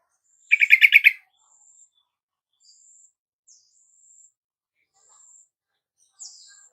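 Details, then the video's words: Yellow-vented bulbul, caged, played as a lure to coax a reluctant, silent bird into singing: a quick burst of about six bubbly, chattering notes early on, then faint, thin, high whistles scattered through near-silence. "Pancingan TRUCUKAN MALES KICAU dan MACET TOTAL Agar nyaut GACOR"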